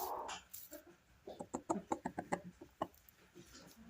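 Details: A Silkie rooster in a nesting box gives a quick run of about eight low, throaty clucks, evenly paced over a second and a half, after a softer murmur. The setting is quiet.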